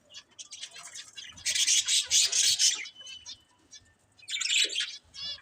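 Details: Budgies chirping: soft twitters build into a loud, dense burst of harsh chatter, then a quieter gap and a second squawky burst.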